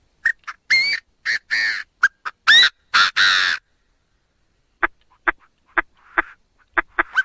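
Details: Chinese francolin giving two harsh, rhythmic phrases. Each starts with short sharp notes and builds to long, rasping, broadband syllables. Softer scattered clicks and chips fill the pause after them.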